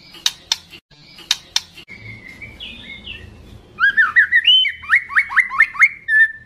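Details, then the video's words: Agitated white-rumped shama, young spotted-plumage bird, calling a rival: sharp clicks, soft warbling, then a fast run of repeated downslurred whistles, roughly three per second. "Suara Burung Murai Batu Trotolan Gacor Keras Memancing Bunyi Ngeplong Emosi"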